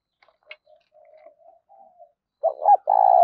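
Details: Lure cooing of a spotted dove meant to bring birds in quickly: soft, distant murmuring coos and a tap at first, then a loud close phrase of stuttered notes ending in a long steady coo.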